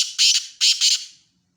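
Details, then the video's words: Black francolin uttering two pairs of harsh, rasping, squawk-like notes, each pair about half a second long, sounding loud and close with no other sounds. "kala Teetar Ki Awaaz"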